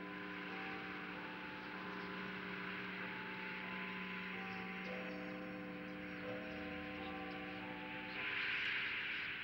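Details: Constant mains-like hum with several steady tones layered over soft hiss, and a brief brighter noise burst near the end; no animal voices.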